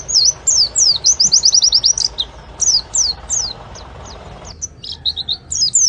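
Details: Oriental white-eye song of quick, high, slurred chirps delivered in fast runs, several notes per second, with brief gaps between bursts and faint background noise.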